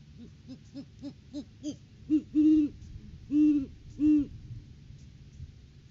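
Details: Great horned owl pair at the nest tree during courting season, January 2023, live cam: short, evenly spaced hoots speed up, then three loud, prolonged low hoots follow at intervals of about a second.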